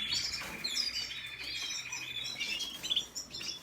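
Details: Red siskin singing a high twitter of sharp chirps, opening with a buzzy, rattling trill held for about a second, then scattered bright whistled notes.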